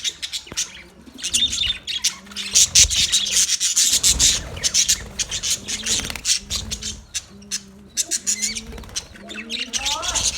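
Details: Budgies in a colony keep up constant raspy, scratchy chatter and bright chirps, with some lower warbling notes and a short rising whistle near the end.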